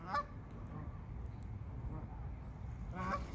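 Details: Geese on a pond: one short, nasal honk opens and another closes the passage, each brief and harmonic-rich, over a steady low rumble of background noise.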